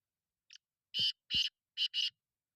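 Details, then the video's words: Black francolin giving its call: a brief soft note, then four loud rasping, buzzy notes grouped in two pairs, delivered in just over a second, with dull thumps beneath the first pair. "kala titer"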